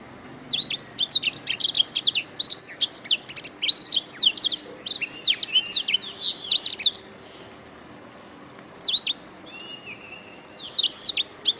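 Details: Canary tutor song for training songbirds: a long, dense run of rapid high chirps and rolling trills, a short silence, then a low-pitched whistle and renewed quick chirping.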